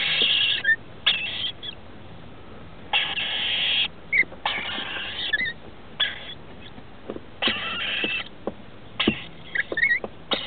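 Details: Inside a house roof, rainbow lorikeet chicks aged 21 and 17 days receive food from adults, 23 October 2013: a steady run of raspy, hissing buzzes over ten seconds, interspersed with tapping, clicking and scrabbling sounds.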